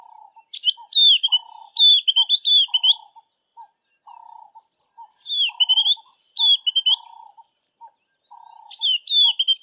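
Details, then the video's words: White-browed scrub robin singing west of Grahamstown, repeating the same phrase: three bursts of high, sweet whistled notes with quick slurred trills, each lasting about two seconds, over a steady series of soft, low, short notes from another caller. "White-browed Scrub Robin singing"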